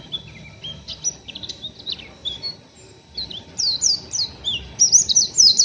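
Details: Oriental white-eye, a still-untrained young bird, chattering roughly in the ngeriwik style. Scattered high squeaky chirps build into a dense run of sharp, twisting notes toward the end, with a faint low rumble beneath.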